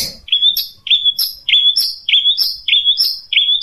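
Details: Long-tailed shrike with 'tembakan unik' shots: a series of six clear, slurred whistled notes, each starting with a sharp high flick, repeated about every half second.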